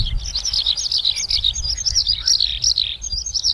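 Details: Eurasian skylark singing on the ground, a passionate, continuous stream of rapid high warbling and chirping notes, trilled phrases tumbling without pause, with low rumbling background noise.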